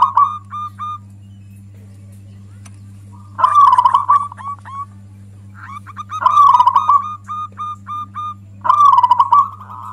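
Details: Local zebra dove in loud, consistent song used as a lure for other doves: three rolling trilled phrases about every three seconds, each trailed by short clipped coos, over a continuous low hum.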